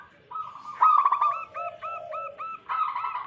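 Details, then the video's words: Wild local zebra dove song, recorded as a lure to attract doves: a burbling trill, then five or six crisp, evenly spaced coos above a lower sustained note, ending in another trill. "Lokal Alam gacor pancingan pikat burung perkutut"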